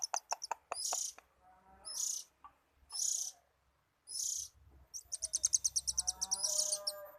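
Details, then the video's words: Oriental magpie-robin (kacer) singing at ease: a few sharp clicks, then short harsh hissing bursts repeated about once a second, ending in a rapid buzzy rattling trill with lower whistled notes beneath. "BURUNG KACER LAGI ENJOY"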